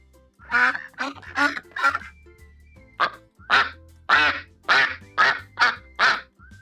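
A duck gives about a dozen loud, nasal quacks, a fast run of four, a short pause, then a steadier string. A faint low hum lies underneath.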